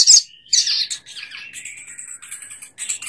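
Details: Sogok ontong bird twittering continuously: high chattering chirps with a bright burst near the start, then a steady run of thin, buzzy notes.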